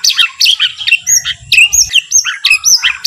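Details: White-rumped shama song used as a trigger to make other shamas sing and become agitated. Loud, rhythmic phrases of sharp, looping whistled notes are repeated about every quarter second, varied in pitch.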